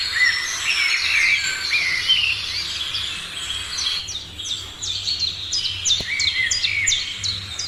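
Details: Birds singing in the morning, a busy high chorus of chirps and warbles, then a run of sharp, quickly repeated down-slurred notes over continued twittering.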